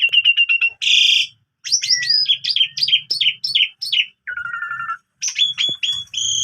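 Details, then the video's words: Morning song of a caged Asian pied starling kept as a tutor for young canaries: dense high chattering, a quick series of sharp downslurred whistles, then a steady mid-pitched buzzy note and bright trills. "Jalak Suren Gacor Full Isian"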